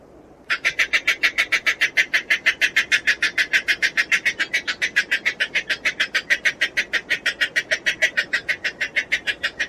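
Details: All-black flightless crake with reddish-orange eye ring and legs and a yellowish-green bill, bold and curious; contact call of rapid nasal notes, about three per second, steady and evenly paced throughout.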